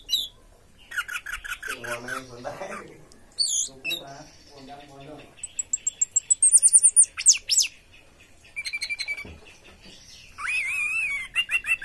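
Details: Orange-headed thrush giving a mixed song of high whistles, trills and rising slurred notes, with a low murmuring voice briefly in the background.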